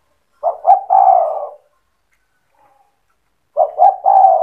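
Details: Spotted dove giving its provoking song to set other doves calling; two clear phrases of two short stuttering coos and a longer descending coo, separated by about two seconds of silence.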